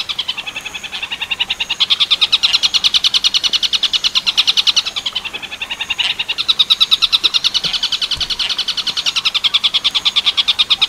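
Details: Master recording of a long-tailed shrike singing Tengkek Buto Werkudoro style for other birds to learn, clear sound: long bursts of fast grating chatter, separated by brief softer breaks around every four seconds.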